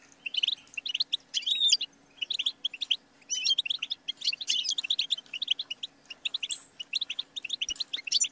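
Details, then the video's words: Continuous bubbling song of a European goldfinch: quick chattering chirps, buzzy trills and occasional rising whistles, almost unbroken for eight seconds over a faint steady hum. "The Motivating Anthem of the Goldfinch Bird"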